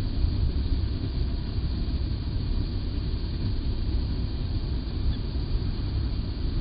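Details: Only a deep, steady engine-like rumble is heard, with no bird calls.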